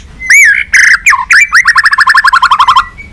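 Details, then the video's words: White-rumped shama lure song in the balak 6 style, used for catching birds: a few loud looping whistles followed by a fast rattling trill of about fifteen clipped notes that slowly falls in pitch. "Suara Masteran Pikat Burung Murai Batu Balak 6 (Whiterumped Shama)"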